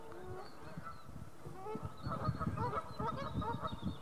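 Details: Near Stirling, geese at North Third Reservoir give a chorus of honks that grows louder midway, with short clear honks repeating in quick succession over a low rumble.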